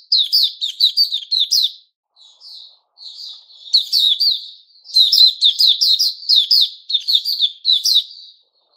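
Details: Puteh raja (white-rumped shama) in 'buka' song, 29 August 2021. Dense, loud runs of staccato high whistles repeat rapidly, separated by a few softer, quieter single notes.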